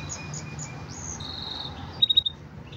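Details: Green canary giving soft, high whistled notes and a steady held tone, ending with a brief rapid trill of four sharp pulses; quiet overall with a low background hum.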